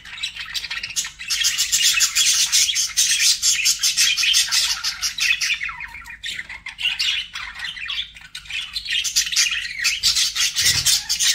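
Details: Several budgies chattering loudly together, a harsh, busy stream of squawks and scratchy chirps running almost without break, dipping briefly near the middle before building again, with a soft thump near the end.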